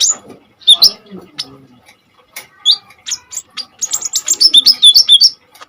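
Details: Common iora singing strongly as tutor material for kolibri ninja birds: scattered high chips and a few whistles, building into a fast rattling run of looped whistled notes near the end.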